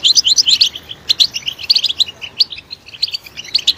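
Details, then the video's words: Short phrases of clear, high, bell-like chirps from a European goldfinch, given in quick clusters separated by tiny gaps. "Stimulating a goldfinch clip to make it chirp in a loud and wonderful voice"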